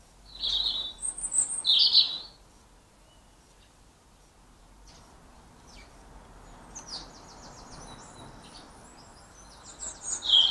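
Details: European goldfinches at sunflower-heart bird feeders in Ireland give bright, high tinkling chirps in two bursts, one at the start and one near the end, with a faint twittering run between them.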